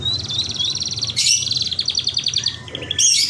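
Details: Merlok-style singing from a local canary: rapid, even trills of bright repeated notes. One trill shifts to a lower, buzzier rattle and is broken by sharp clicks, over a low background hum.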